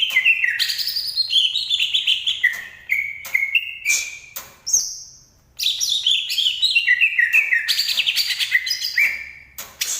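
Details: Green leafbird from Banyuwangi singing a lively stream of twittering, slurred whistles. One phrase ends in a long high note, followed by a pause, then more rapid varied notes.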